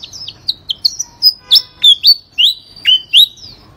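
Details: Songbird that once placed third in a songbird contest, singing nonstop: a quick run of clear whistled notes, many sliding down or up, each short and sharply separated, delivered about three per second.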